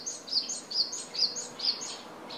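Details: Japanese tit filmed at home with a compact camera; steady series of high, paired tsee-pi notes, roughly three per second, over soft background hiss.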